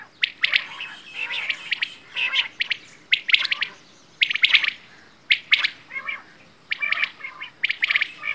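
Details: Quail, known locally as bedana or batair, giving bursts of sharp, chirping notes in short clustered groups about once a second, bright and overlapping, with quiet gaps between bursts.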